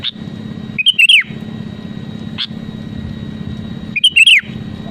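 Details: Sooty-headed bulbul song meant to spur rival birds to sing: two matching phrases of three or four ringing whistled notes with a downward-slurred ending, three seconds apart, with a brief faint note between and steady low hum.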